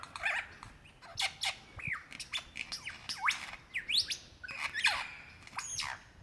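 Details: A male lyrebird calling for a female to mate with, Dandenong Ranges National Park, Victoria, Australia, February, pours out a loud, varied medley of whipcracks, clicks and sweeping whistles, including kookaburra mimicry, uneven and rapid.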